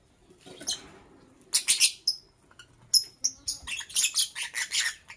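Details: Morning chirping from a lovebird: short sharp high notes, then an accelerating run of harsh, buzzy chirps crowding the second half, with brief gaps between bursts.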